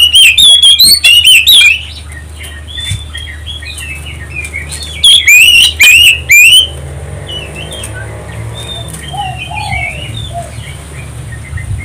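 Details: Oriental magpie-robin lure song for prompting other birds: rapid shrill whistled notes at the start and again midway, with softer background chirping, a rushing noise and a steady low hum between bursts.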